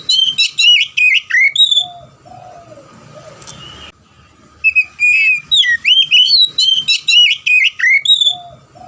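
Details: Oriental magpie-robin singing actively in the loud, open ngeplong style, meant to stimulate quiet or non-singing magpie-robins: rapid bursts of bright, slurred whistled notes rising and falling, a brief lower mellow phrase in a pause near the middle, then more fast whistles.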